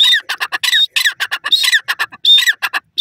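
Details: Black francolin (teetar) calling loudly: harsh, grating squawky bursts in rapid, uneven series, several notes a second, with rasping harmonics and short whistled tones, no other clear sounds.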